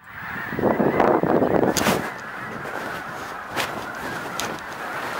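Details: Snow geese at Blackwater National Wildlife Refuge: a dense, continuous flock clamour of overlapping nasal honks, opening with a loud rushing burst that fades into steady massed calling.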